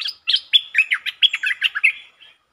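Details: Streak-eared bulbul used as a lure bird, recorded 13 February 2023, singing one of several song styles: a quick chattering phrase of about ten bright, slurred, bubbly notes, some rising and some falling, lasting two seconds, then a soft final note.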